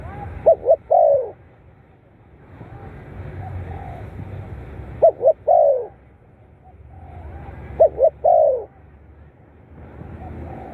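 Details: Spotted dove, recorded as playback to stimulate captive birds. Three well-spaced phrases, each two sharp short coos and a longer falling coo, separated by about three seconds of low rumbling background noise.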